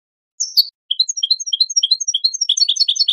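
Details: Song of a European goldfinch, played to train songbirds and encourage breeding: an opening slurred note, then bright chirps alternating high and low, quickening into a dense tinkling trill at the end.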